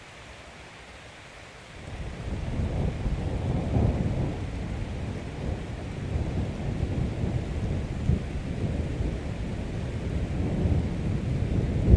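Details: Low rolling thunder builds after a quiet start and rumbles on steadily under the patter of rain, with no animal calls.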